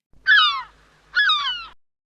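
A gull gives two loud, harsh, downward-sliding cries about a second apart, each lasting half a second and ringing with a nasal, mewing tone.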